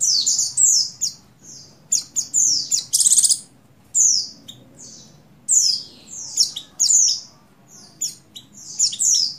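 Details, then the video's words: Female Oriental white-eye of the buxtoni form in breeding condition calling to a male: quick, high, sharp chirps and short descending twitters in bursts, with brief pauses and one harsher buzzy burst near three seconds. "Call Burung Pleci Betina Birahi Memanggil Jantan"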